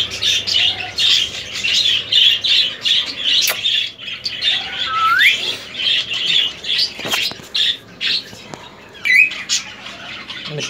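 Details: Three-year-old semi hand-tamed male ring-necked parakeet with a long tail, kept as a pet that whistles: harsh buzzy screeches repeat about twice a second throughout, with two short rising whistles midway and near the end.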